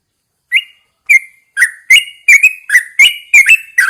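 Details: A captive Yellow-vented Bulbul, placed outdoors at first light to encourage singing, opens with single clear notes that quicken into a dense string of chirpy, rolling whistles.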